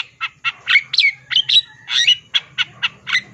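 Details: Long-tailed shrike in gacor song with isian fill-ins: about a dozen rough, squawky notes, some with slurred whistled tails, delivered about twice per second, over a faint low hum.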